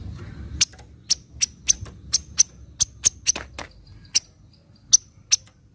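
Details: Javan kingfisher 'nyecret' chattering, meant to coax reluctant kingfishers into calling: a steady series of sharp, dry chips roughly every quarter to half second, thinning out toward the end, over a soft low hum.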